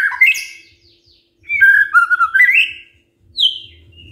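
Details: White-rumped shama singing in the morning to provoke silent shamas into answering: a loud rising whistle, a pause, then a slurred wavering phrase of clear whistles, and a final high falling note.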